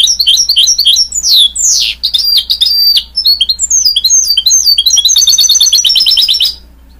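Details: Goldfinch-canary hybrid mule in full song: a loud, rapid, varied stream of high twittering notes, sweeping slurs and buzzy elements, closing with a fast even trill before stopping.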